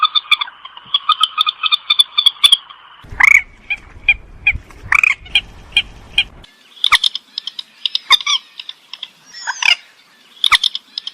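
Purple swamphen giving harsh, nasal, rattling squawks in quick repeated bursts, with a brief low rumble of handling noise partway through.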